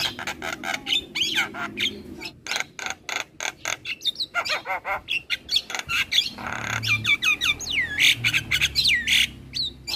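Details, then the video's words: Javan myna in a champion master recording, said to sing very actively and make other birds that hear it join in: dense bursts of harsh squawks and rasping notes mixed with sliding whistles, nearly nonstop. "Jalak kebo Gacor Parah Bikin Burung Lain yang Dengar Ikut Bunyi - Masteran Jalak Kebo Juara"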